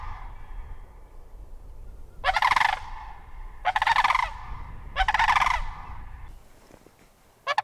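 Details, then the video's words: Sandhill crane calling in a series of loud, rolling, trilled bugles, three full calls about a second and a half apart, a fourth just starting at the end. "Sandhill Crane Vocalizations"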